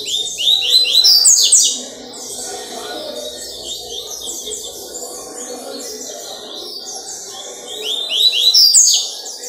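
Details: Double-collared seedeater singing on Wednesday 4 October 2023: an opening burst of quick, high upslurred notes, a long stretch of softer continuous twittering, then another loud flurry of rising chirps near the end.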